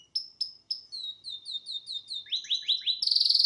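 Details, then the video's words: Pet male canary singing before a television: sharp, clipped notes repeated about three times per second, sliding down in pitch in a quickening series, ending in a fast, loud, buzzing roll. "Best Canary singing live"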